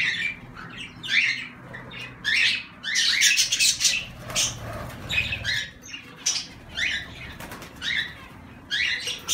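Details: Zebra finches give nasal, honking calls in quick irregular bursts, many overlapping notes across the stretch, with some soft rustling and a low hum in the background.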